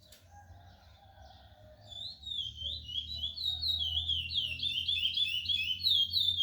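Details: Ten-month-old brown-plumaged chestnut-bellied seed finch (curió pardo) from a breeder in northeastern Brazil. After two quiet seconds it begins a rapid, continuous run of clear, slurred whistles that rise and fall. A low hum runs underneath.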